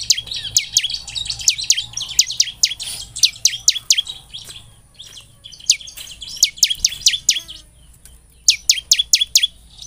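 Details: Bar-winged prinia singing in a lure track to get birds singing with feeling: repeated groups of four to six sharp high downslurred notes over a steady high whine, with softer chatter between groups.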